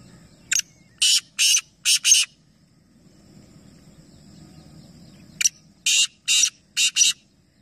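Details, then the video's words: Three Black francolins calling together in a calling competition at Nawabshah, Sindh, Pakistan, giving two loud, harsh, grating phrases of five rasping notes each, a few seconds apart, over a faint low hum. "Teen Teeter Ek Sath Awaz Competition | Black Francolin | Black Partridge"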